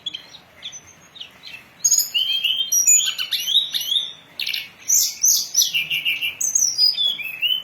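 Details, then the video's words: Hill blue flycatcher song played as a lure and training recording for birds: a long stream of high whistled phrases with upslurred and downslurred notes and scratchy chips, varied and rapid. "Masteran dan Pancingan burung Tledekan gunung"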